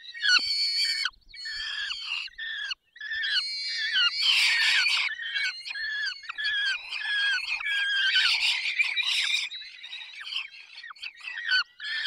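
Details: Peregrine falcon feeding in the Barycz Valley, Poland, on 20 May 2021: a steady chorus of thin, wavering squealing calls, roughly two per second, several birds overlapping, some notes bending downward.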